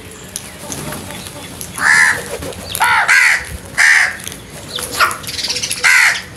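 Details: Crow giving a series of loud, hoarse caws, about five spaced roughly a second apart, each rasping and slightly arched in pitch, against mild background noise.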